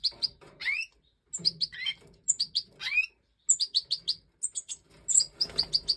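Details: Hen-fed goldfinch chicks of the Major form, five youngsters that have left the nest in a 2024 captive breeding. Rapid strings of high chirps, a few slurred rising notes, near-continuous excited twittering with brief pauses.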